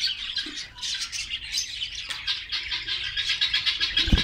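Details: Australian parrots in a Karachi colony chatter together in loud, overlapping squawks and high twittering chirps. The calls come in quick, uneven bursts, and a brief thump sounds near the end.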